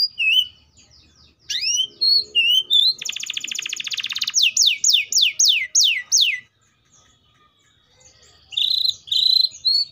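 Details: Canary song with short whistled slurs, a harsh buzzy roll, then about seven rapid downward-sweeping notes in a row, a brief pause, and a closing burst of chattering notes.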